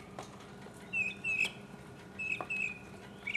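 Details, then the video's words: Mockingbird solo recorded in 2015, sparse paired high whistled notes dropping slightly in pitch, separated by quiet stretches and a few soft clicks. "mockingbird Solo 2015"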